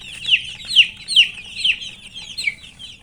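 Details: Chicken chicks chirping as they eat; a close chick gives loud, clear, high downslurred peeps about every half second, with fainter chirps from others behind.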